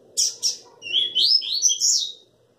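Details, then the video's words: Crossbred coleiro song: two short buzzy high notes, then a rapid run of clear whistled and twittering notes that rise and fall, lasting about a second and a half, over faint indoor hum. "Coleiro mestiço show muito ordem e fibra"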